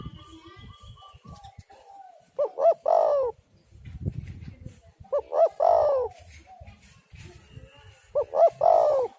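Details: Spotted dove (tekukur) calls played to lure doves and prompt them to sing: a three-part coo phrase, two quick notes and a longer falling coo, repeated three times about every three seconds, with softer coos between.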